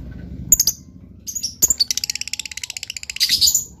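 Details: Lovebird singing in an elegant style: scattered sharp, very high chirps, then a fast run of evenly spaced clicking notes for over a second, ending in a dense burst of shrill squeaky twitters.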